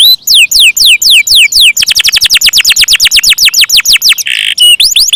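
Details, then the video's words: Long-rolling canary song, with steady downward-swooping whistles that accelerate into a rapid tight roll, broken near the end by a short harsh buzz before the swoops return. "KENARI KOLABORASI GACOR NGEROLL PANJANG"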